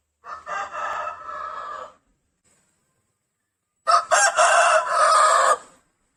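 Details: Rooster, recorded for real, giving two loud harsh crows about two seconds apart: each a broken opening stutter then a long hoarse drawn-out note, with silence between.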